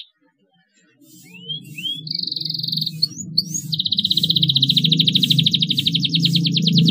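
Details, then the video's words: Canary singing to stimulate young birds: a few soft rising whistles, a short high trill, then a long fast rattling trill over a steady low rumble of background noise. "CUITAN KENARI TERBUKTI AMPUH BIKIN KENARI PAUD RAJIN NGERIWIK | PANCINGAN KENARI PAUD"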